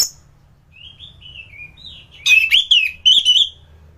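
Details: Anis thrush singing in top condition, recorded for teaching other birds: quiet gliding whistles lead into a few loud, rich, warbled phrases with sharp attacks near the end.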